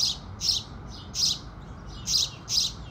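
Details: House sparrows singing with the rising sun: short, bright, buzzy chirps in pairs and singles, roughly every half second to second, over a faint steady low background hum.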